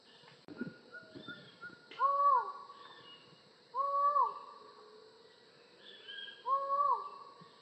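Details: Collared forest falcon of Latin American tropical rainforest giving three loud, drawn-out arched calls, each rising then falling, spaced about two seconds apart, with faint higher bird notes and a sharp click in the background.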